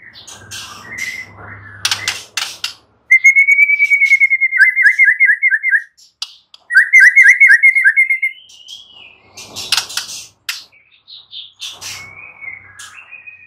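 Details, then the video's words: White-rumped shama singing loud, rapid rolling trills in two long bursts, framed by sharp snapping clicks, brief whistled notes and a soft low hum early on. "Murai batu BISU diJAMIN NYAUT GACOR dan FIGHTER"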